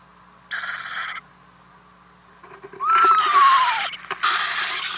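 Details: Owlets beg overnight at a nest box as the parents bring food, with harsh breathy hissing screeches: a short burst, then a longer run of rasping hisses and a thin whistled note sliding up and down. Recorded 10 April 2018.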